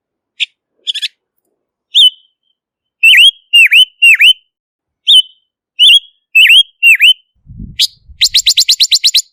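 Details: Silver-eared mesia song: slurred whistles grouped in phrases of three to four dipping notes, then a low thump and a rapid, even series of sharp chips near the end.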